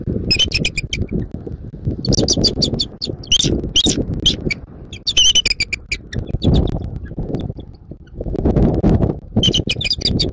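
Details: Early-morning bald eagle at its Florida nest, southwest of the state, January 14, 2024, 06:36: repeated runs of sharp, high, staccato piping notes, broken by short gaps, with constant wind and rustling underneath.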